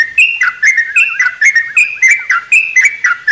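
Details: Sooty-headed bulbul singing in the morning inside a mini aviary, pouring out quick fluty notes with wavering, rolling lower notes between, in a steady rapid rhythm.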